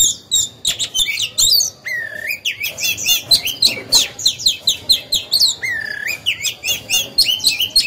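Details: Oriental magpie-robin kept to stimulate other birds to sing, delivering dense rich song: rapid varied whistles, buzzy notes and clear rising slurs in quick phrases, with a faint low background rumble.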